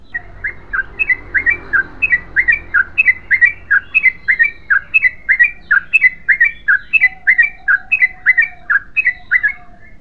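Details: Long, unbroken ropel-style run from a yellow-vented bulbul: evenly repeated liquid, falling two-part notes for ten seconds, with a brief faint whistle-like tone late on.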